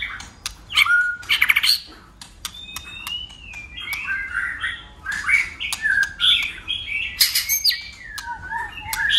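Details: Competitive song of a white-rumped shama, persistent and multi-voiced, with tail flicking: loud sharp clicks and snaps alternate with long whistled glides, chattering bursts, and varied fluting phrases that continue without pause.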